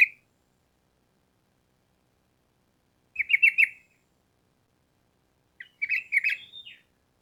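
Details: Sooty-headed bulbul in vigorous song, used as training audio to make other bulbuls answer quickly: two short bubbly phrases of chattering notes, separated by long silence.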